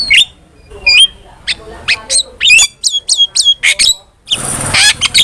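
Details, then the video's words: Starling sounds meant to lure and tutor cage birds: whistled notes that drop then hold steady, repeated in a fast series, followed by a long hissing, noisy rasp and a few closing chips. "PANCINGAN DAN MASTERAN BURUNG JALAK"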